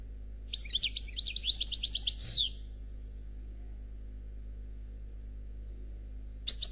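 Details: European goldfinch of the Noir Khalwi type giving a flawless song: a rapid burst of high, buzzy, twittering trills lasting about two seconds, then a short pause before a new phrase begins, over a low steady hum.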